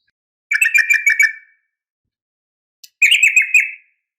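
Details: Sooty-headed bulbul female calling a male, a sharp fighting call used to make bulbuls reply: two brief bursts of rapid, buzzy chattering, each about a second long, separated by a silence.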